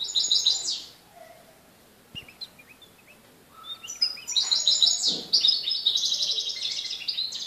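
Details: European goldfinch recorded in Morocco on 4 December 2013, singing rapid, high, tinkling twitters and buzzy trills in two bursts, the second longer and denser, separated by a quiet pause of about three seconds.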